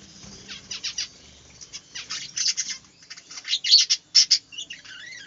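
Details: Budgerigars in a small aviary, a quick run of bright, scratchy chirps and warbles, densely packed and high-pitched, rising in loudness toward the end with several sharp, buzzy notes.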